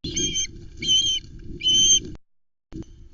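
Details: Osprey at its Loch Arkaig nest on 16 August 2020, nest-camera audio from a mackerel delivery with a young bird calling loudly. Three loud bursts of shrill, ringing, repeated whistles, each about half a second, with wind rumble beneath.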